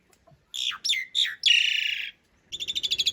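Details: Asian pied starling giving harsh slurred notes and a buzzy trill, then a rapid rattle, in rough-fill long-roll master song for training cage birds.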